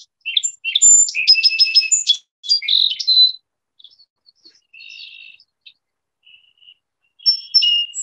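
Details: A Song Sparrow from the Gulf Islands, where each bird has 8–11 slight song variations, sings a few opening notes, then a rapid buzzy trill and jumbled high twittering. A second brief phrase follows after a pause.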